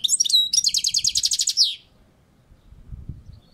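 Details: A European goldfinch sings on a balcony, giving a few sharp twitters and then a long, fast, buzzy trill of evenly spaced high notes that ends abruptly; soft low rumbles follow.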